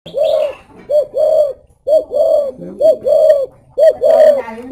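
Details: Spotted dove singing in the thổ bầu có lèo style: low, rounded coos in repeated phrases, a short note followed by a longer drawn coo, about once per second, with faint room sounds.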